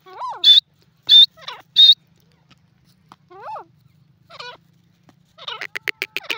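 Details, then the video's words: Grey francolin, known locally as gora teetar, gives three shrill high notes in quick succession. Lower, nasal, wavering calls follow with pauses between them, then a rapid burst of sharp ticking notes. "grey francolin and gora teetar ki awaz"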